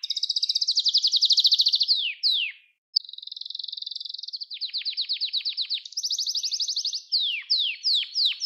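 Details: Canary singing for training young birds: rapid high trills, a brief pause, then buzzy mid-pitched rolls shifting into repeated downward-sweeping notes, varied phrases following one another without background noise.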